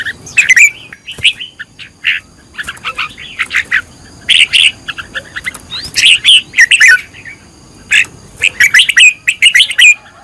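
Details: Red-whiskered bulbul decoy-training song, 'căng lửa' style: vigorous runs of sharp chirps and bright whistled phrases, loud clusters repeated with brief pauses, sometimes overlapping as if several birds call together.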